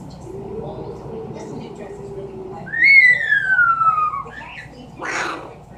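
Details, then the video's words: Indoor Amazon parrot mimicking a falling bomb: a low hum, then a loud whistle rising briefly and gliding down for over a second, followed by a short noisy squawk. "The many sounds of an amazon parrot."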